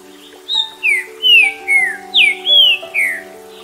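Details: Male Green-winged Saltator (trinca-ferro) of Atlantic Forest and Cerrado in Brazil, singing six clear, high whistled notes, each slurring downward, about one every half second, over soft sustained background music.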